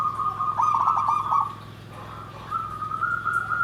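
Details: Zebra dove singing in the 'nggandem gedhe garing' style: a bubbly, warbling coo held on one steady pitch, breaking into rapid rolling notes, a pause, then a smoother sustained phrase, over a constant low hum.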